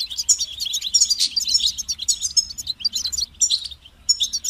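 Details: Goldfinch giving a dense, almost continuous stream of high twittering and buzzy trills, with one short pause near the end; light low hum in the background.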